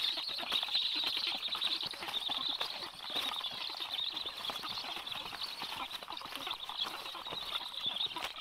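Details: Black stork nest on 26 July at 9:40, as the adult male arrives and feeds fish to the chicks: a steady, high, wheezy hiss runs almost without a break, broken by scattered clicks and rustling flaps.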